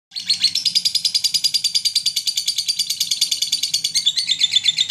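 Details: Lovebird from Garut giving mentil-style chirping, used as a lure to stir other lovebirds: a fast, unbroken stream of high, shrill chirps, roughly three per second, steady for five seconds, with faint low hum beneath.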